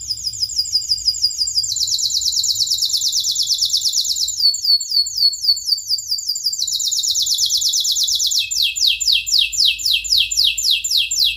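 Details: Canary song, described as long and continuous, used as a prompt to teach young birds and to restart silent canaries: rapid trills of repeated descending whistled notes, shifting to a new phrase every one to two seconds, with faint low hum underneath.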